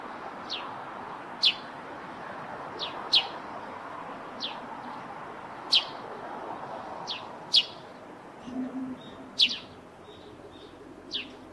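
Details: Eurasian tree sparrow, one of a pair nesting under a roof, gives short, bright chirps, sometimes in quick pairs, spaced irregularly every second or two, over a low steady hum.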